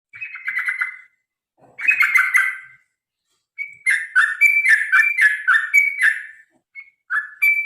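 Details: Sooty-headed bulbul in a long, rapid fighting song meant to spur other birds to sing: bright fluttering phrases dropping from higher to lower notes, in three bursts separated by short pauses.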